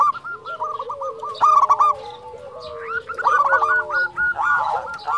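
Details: An active local zebra dove, used as a lure to stir up quiet doves, delivering rolling coo phrases with loud emphatic notes, several overlapping voices and drawn-out lower tones.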